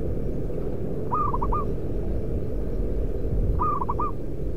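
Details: Loud local zebra dove kept as a lure bird, giving two mellow rolling coo phrases about two and a half seconds apart, each several quick clipped notes then a slightly longer final note, over a constant low hum.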